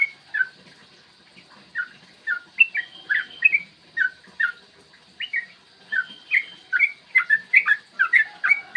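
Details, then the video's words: Long-running yellow-vented bulbul morning song, played to stir other birds into singing and fighting: scattered liquid whistled phrases that start sparse, then quicken into a dense chatter of bubbly notes near the end. "trucukan gacor TARUNG ROPEL PANJANG pancingan trucukan agar BUNYI dan EMOSI"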